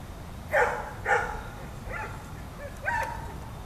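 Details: Herring gull flying over Blacks Nook on 3 October 2012, calling four times in about three seconds: loud, harsh, nasal yelping notes, the first two strongest and the later ones softer, over a quiet background hiss.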